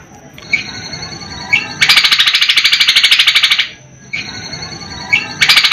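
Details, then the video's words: A leafbird (cucak kombo) in full song, its song filled with "gereja" and "helicopter" sounds, gives sharp high chips, then a fast, harsh, evenly pulsed rattle of about two seconds, repeated, over a thin steady high whine. "kombok gacor isian gereja helikopter"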